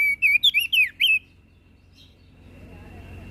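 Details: Flores crested white-eye song meant to provoke listening birds: about a second of rapid, bright, wavering whistles, then quiet with a steady thin high tone and soft low hum.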